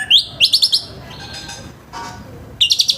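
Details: Orange-headed thrush singing a harsh, rough morning song, meant to stimulate other thrushes to start singing: quick bursts of sharp, high chirping notes in rapid groups of four or five, separated by short pauses.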